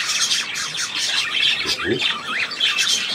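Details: Budgerigar warble on 3 April 2017: high squeaky chirps and a wavering, zigzag whistled phrase near two seconds over constant busy chatter.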